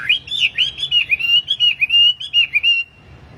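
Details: A tame kept wambi singing energetically, intended as training or lure song for caged birds: rapid, fluid whistled notes, wavering up and down in a continuous warble, ending in one held whistle.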